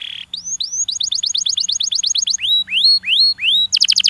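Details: Stimulating song of a canary, with a brief buzzy note and then quick rising whistled notes that run into a rapid trill. Slower drawn-out upslurred whistles follow, ending in a burst of fast chips over faint low hum.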